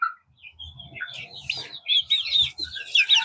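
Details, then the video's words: About 30 young chicks, including Easter eggers, peep together with the mic set down near them, in high, thin, overlapping chirps that grow busier toward the end, over faint low thumps of handling. "I want to put the mic down here so that you can hear the chickies better. They've got prettier voices than me."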